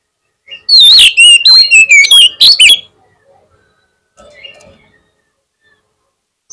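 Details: Oriental magpie-robin lure song used to provoke a rival bird into answering: a two-second torrent of loud, varied whistles and sharp slurred notes, followed by a faint, quiet warble.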